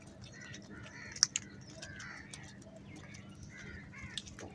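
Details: Crows fighting over food: a scatter of faint, harsh, rasping calls, several short and bunched together, over a steady low hum and background noise.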